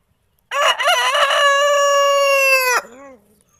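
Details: White rooster crowing: one loud, rich cock-a-doodle-doo opening with a few quick broken notes, then a long, steady, slightly falling held note lasting over a second, ending abruptly with a short faint tail.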